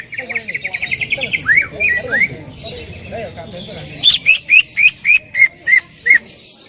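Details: Loud greater green leafbird song: a quick trill of ticking notes and a few upward-swept whistles, then a sharp burst of eight evenly repeated ringing notes. Faint lower chattering sits underneath.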